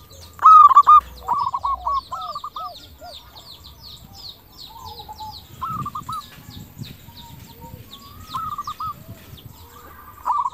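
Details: Local zebra dove singing as a lure to make other doves answer; one loud phrase of hooked coos at the start, then scattered softer coos amid a busy background of other chirping birds.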